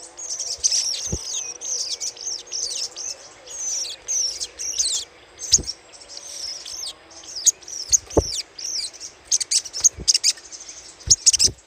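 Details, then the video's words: Long stretch of little spiderhunter chatter for luring: almost continuous high, scratchy chipping and short twittering phrases, rising and falling in bursts, with a faint low wavering hum in the background. "PANCINGAN SUARA CRECETAN SOGOK ONTONG"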